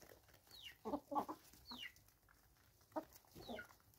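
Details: Free-range chickens in South Africa, 2024: short bursts of low clucking at about one and three seconds, with higher descending whistled notes from other birds between them.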